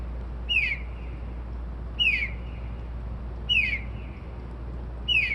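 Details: Unidentified bird singing happily at 2:30-3:00am, said to mimic car alarms, sparrows and other sounds; a sharp downslurred whistled note repeats about every one and a half seconds over a steady low hum.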